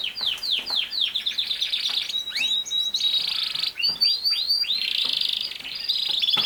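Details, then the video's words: Canary pouring out a rapid run of descending chips, then sustained buzzy trills and high whistled notes, continuous and loud throughout. "Canary Singing | The Best singing Canary ever"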